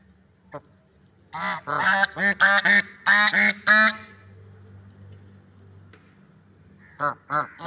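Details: Lovebird swans in a natural setting calling in a rapid run of six or seven nasal honks, then a pause with low rumble, then two more honks near the end.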